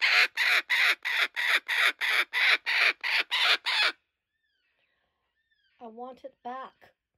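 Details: Sanctuary laughing kookaburra, laughing as it keeps a stolen joey's toy. A fast, even run of raucous, rasping notes for four seconds, then silence, followed by two short, lower, tonal, chuckling calls.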